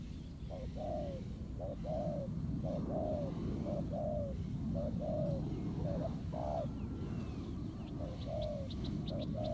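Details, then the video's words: ['Spotted dove in the wild cooing at a decoy in a ground trap, repeated low paired coos about one per second over loud low rumble, with faint high clicking near the end.'] "Bẫy cu gáy mồi đất. Kèo đấu quá hấp dẫn, bổi gù quá tốt."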